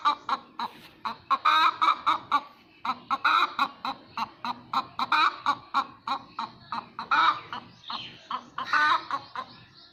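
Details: After laying an egg, a hen keeps up a steady stream of clipped clucks with loud, grating squawks mixed in, about every two seconds, across the whole stretch.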